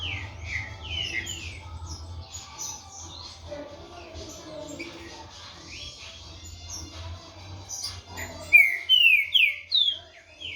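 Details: Green-winged saltator, a 16-month-old caged tournament bird, singing soft varied whistled notes before a loud burst of clear descending slurred whistles near the end, with a low hum underneath.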